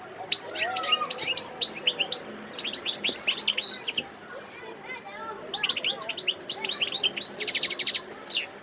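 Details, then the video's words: Wild European goldfinch singing at Sidi Bel Abbes in December 2021: long runs of quick tinkling chirps, a short quiet break, renewed twittering, then a dry buzzy trill at the close. "متع نفسك مع مقنين خلوي صوت ولا أروع"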